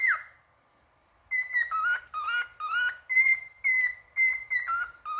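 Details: Singing male cockatiel: after a falling whistle and a second of silence, a run of rhythmic whistled notes jumping between higher and lower pitches, roughly two per second.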